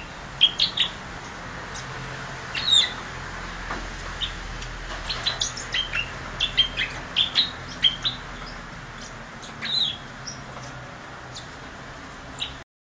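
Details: Grass parakeets chattering: a busy mix of short, high chirps and brief warbled notes from several birds, irregular and overlapping, with quiet gaps and a soft steady background hiss.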